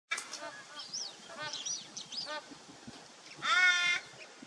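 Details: A Torresian crow, recorded 8 December 2023, gives a series of short, nasal, harsh caws, then one louder, drawn-out caw near the end, against a faint steady hiss.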